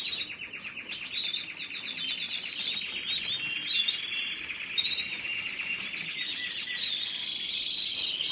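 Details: Steady canary song of fast rolling trills, with brighter rising chirps breaking in toward the end; high, continuous and rich.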